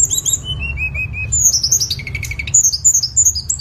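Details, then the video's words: Tledekan song used as a master recording for training cage songbirds: clear whistled notes in short descending slurred series, some high and thin, others lower, with a steady low hum underneath. "MASTERAN SUARA BURUNG TLEDEKAN PALING AMPUH"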